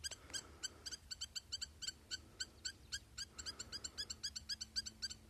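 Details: Quick-fire sharp, tinny notes from a Spur-winged lapwing, nearly four per second, some in fast doubled pairs. There is a light noisy background.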